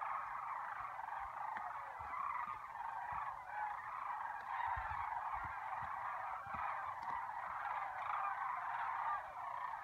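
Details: Sandhill cranes calling in spring at Lac Le Jeune, a continuous overlapping chorus of rolling, rattling calls from many birds, steady throughout with faint low thumps underneath.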